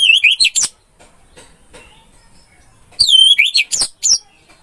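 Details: Masteran recording of an orange-headed thrush: a brief phrase of rich whistled notes that rise and fall and slur together, then a second, longer phrase of rolling whistles and sharp chirps after a short silence.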